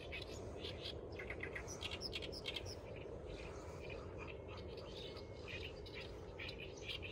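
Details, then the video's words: Bird in the grass giving short, high chirps scattered irregularly through the recording, some in quick clusters, over a steady low rumbling background hum. "ORIGINAL SOUND BIRD AT THE GRASS"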